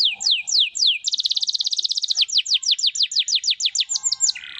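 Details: Canary singing 'gacor cengkok mewah': a few spaced, falling whistles lead into a rapid high trill, then a long series of evenly spaced downward sweeps, ending in a brief buzz.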